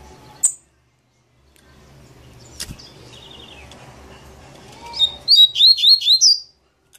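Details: Maninho-style song of a double-collared seedeater. Soft isolated chirps lead into a bright phrase of roughly five sharply upslurred whistled notes, delivered rapidly over about a second before falling silent.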